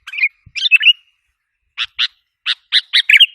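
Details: Lure recording of a sooty-headed bulbul meant to agitate wild birds: two quick chattering phrases, a pause of about a second, then a run of six crisp clipped chirps.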